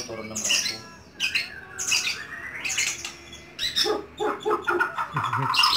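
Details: Home-kept white-rumped shama giving a varied string of short, harsh chattering bursts and squawky notes with brief pauses, ending in lower jumbled notes.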